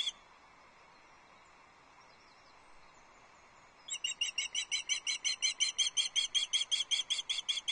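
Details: At a Loch Arkaig nest camera on 6 July 2024, a female osprey calls for her absent mate: near silence for four seconds, then a fast, insistent run of piercing chirps, about three per second.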